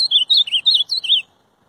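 An Ultramarine grosbeak sings a quick warbled phrase of about six slurred, rising-and-falling whistled notes over a second, then falls silent.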